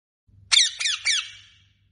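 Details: Rose-ringed parakeet giving three harsh, raspy screeches in quick succession, each dropping slightly in pitch, the last fading out; quiet surroundings.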